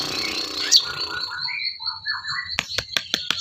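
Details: Sooty-headed bulbul song used as training material for songbirds: short fluty, warbling phrases in the mid range, followed by a quick series of sharp clicks, over a steady high whine.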